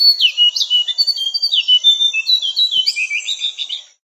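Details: Javan cochoa singing, recorded as tutor material for caged songbirds: quick string of bright whistles and swooping notes, closely spaced, fading out at the end.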